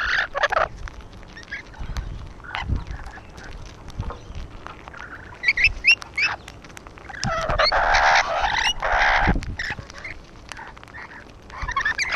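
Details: Rainbow lorikeets on a wall, with scattered rasping calls building to a prolonged loud bout of harsh overlapping screeching from several birds, then easing into sporadic squawks.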